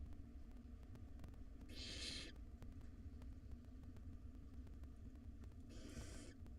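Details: Wild barn owl nestlings, five of them, at feeding time in a nest box, giving two drawn-out rasping hisses about four seconds apart against a constant low rumble.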